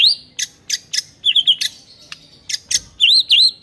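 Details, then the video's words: White-rumped shama master song for silent birds: sharp high chip notes in quick succession mixed with short looping whistles. "MURAI BISU DIJAMIN NYAUT GACOR DENGAR MASTERAN MURAI BATU INI"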